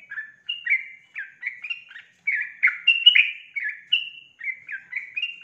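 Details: Female sooty-headed bulbul calling to a male, used as a lure to get males singing: a quick run of short, bubbly chirped notes, some rising and some dropping, in loose clusters with brief pauses, clean background.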